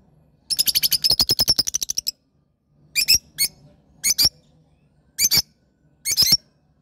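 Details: Lovebird chatter: a fast rattling run of about fifteen harsh chips, then scattered paired squawks at roughly one-second intervals.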